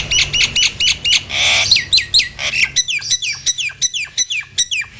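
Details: Lure recording of a Nias hill myna meant to prompt stuck, quiet mynas to reply and sing: rapid, sharply falling chirps repeated about twice a second, broken by a loud harsh burst.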